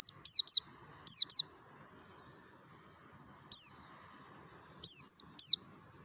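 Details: Wild-type 'ngalas' singing of a mountain white-eye from Merapi, a lure recording: thin, high descending whistled notes in tight clusters of two or three, separated by pauses of one to two seconds.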